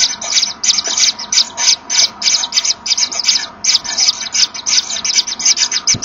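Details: Common Kingfisher pair blowing at each other inside the nest, apparently to locate one another, as the female enters with a fish to feed and brood the chicks, 24 August 2013, afternoon. Quick series of hoarse, airy hisses, roughly three per second.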